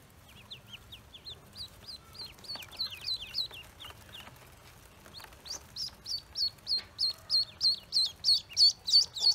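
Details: Newly hatched Pekin ducklings on a farm: soft, quick, downslurred cheeps at first, then after a short lull a strong, regular string of shrill peeps that swells in volume.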